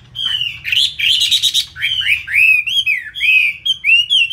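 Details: Chinese hwamei kept in Hanoi, praised for its loud voice and fighting skill. A buzzy burst opens, then a string of bright, upward-sweeping whistled notes follows in steady, rhythmic succession.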